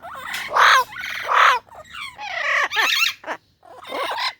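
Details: A talkative pet parrot, possibly described as angry, gives two loud, harsh squawks, then a quick run of nasal, rising-and-falling chatter that sounds almost like speech.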